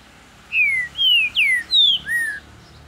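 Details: Green-winged saltator (trinca-ferro), a Brazilian wild bird kept in captivity in Ribeirão das Neves, Minas Gerais, delivering a phrase of five clear whistled notes, several sliding downward, one rising, spaced evenly across about two seconds.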